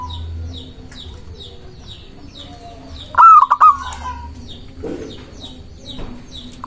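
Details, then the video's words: Local zebra dove heard in a rival-provoking lure recording: one quick series of mellow, stuttered cooing notes mid-clip and the start of another at the end, amid steady high chirping of small birds. "Perkutut lokal gacor mengundang lawan bunyi"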